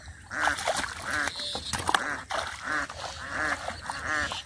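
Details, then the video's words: Ducks quacking beside muddy water in a rural village while a boy catches catfish by hand; loud nasal quacks come in steady bursts, about one every second, with splashing and mud sounds between them. "The Ducks are Making Beautiful Sound From The Side"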